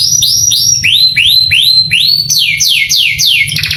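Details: Canary song meant to provoke young birds into responding: clear, drawn-out upslurred whistles repeated about three per second, shifting pitch between groups, then higher falling slurs and a brief buzzy ending.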